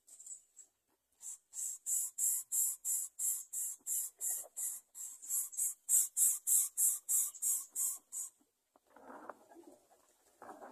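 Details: Greater coucal chicks begging as the mother brings food: after a brief pause, a long, even series of about twenty harsh hissing bursts, roughly three per second, followed by soft rustling.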